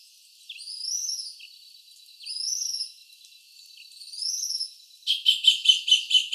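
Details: Tropical kingbird (Tyrannus melancholicus) recorded at CECFLORA, São Paulo, Brazil, giving three high, thin rising twitters about every 1.7 seconds, then a rapid burst of sharp stuttering notes.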